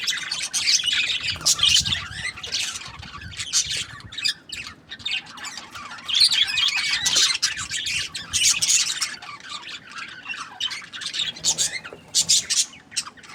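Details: A long run of budgerigar chatter: rough squawks and rapid chirps come in loud bursts a few seconds long, separated by quieter stretches of softer twittering.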